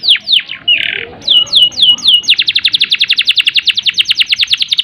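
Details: Canary long roll meant to excite birds short on breeding urge. Several sweeping downslurred notes and a buzzy burst lead into a rapid, even trill of repeated chirps.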